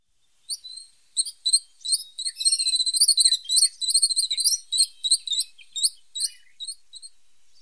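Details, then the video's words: A tit sings a rapid, dense twittering run of high, thin notes. They come in quick pairs and chips for about six seconds, then thin out into a few separate chirps near the end, against a quiet background. "The sound of a pointed tit 's voice"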